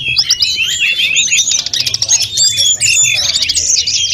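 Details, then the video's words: Brief burst of snowy-browed flycatcher master song, rich in fill-in phrases; high, rapid twittering mixed with thin sustained whistles. "Masteran sulingan gunung full isian || Tledekan gunung gacor || Sulgun nyuling-nyuling"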